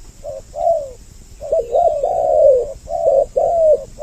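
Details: Double-voiced spotted dove lure for attracting males and females: soft low coos building into a long overlapping rolling sequence, with brief breaks between phrases and a steady faint hiss throughout.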